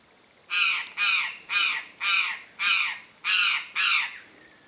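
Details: Wild, free-living chestnut-eared aracari (Pteroglossus castanotis) giving seven loud, rasping squawks at an even pace of roughly two per second, each note harsh and broad, with a quiet background.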